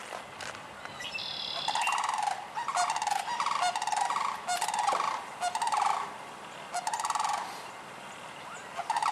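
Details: Sandhill cranes in Michigan, sometime March–June, bugle in loud, rolling, rattling bursts that repeat and overlap throughout; a thin, high whistle sounds briefly near the start.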